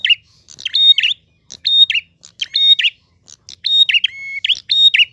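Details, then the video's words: Prinia song in the gacor ngalun manner, clear and insistent, with phrases about once a second: clicky chips, a sustained high note, a long lower steady whistle and a warbling drop, nothing else audible. "Prenjak Gacor Ngalun. Suara jernih."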